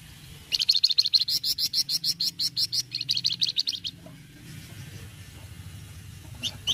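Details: Flamboyan singing in the rapid chattering cretetan style, described as gacor (singing freely): a fast run of sharp, high, clicking chips, roughly six per second, for about three seconds, then a pause and two more chips over low background rumble.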